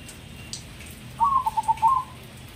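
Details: Crossbred perkutut, the zebra dove, from Indonesia, unafraid of people and singing at any hour: a single brisk phrase, an upslurred start followed by four or five staccato coos and a lingering final note.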